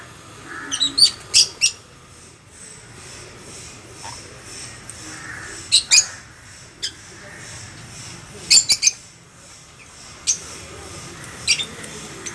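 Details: A pair of 10-month-old sun conures giving short, piercing high squawks in scattered bursts of one to three, about nine across the stretch, with quiet pauses between over a faint low background hum.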